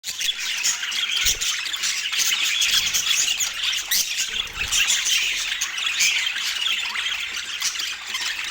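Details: Pet parakeet at morning feeding time on an autumn morning in natural light; dense, continuous high-pitched chattering with scratchy squawks and warbles throughout, plus brief low thumps near the start.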